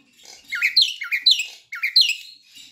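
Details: Javan myna; juvenile song; young bird practising its song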